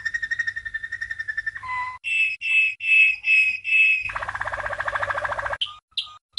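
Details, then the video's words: Waterslager (Malinois) canary, a champion bird from 1997, singing a training song for young canaries: a rapid even trill, a low note, five long clear whistled notes, then a fast bubbling water-like roll and brief chirps. "Malinois CANARY From 1997 - 12h Training Song"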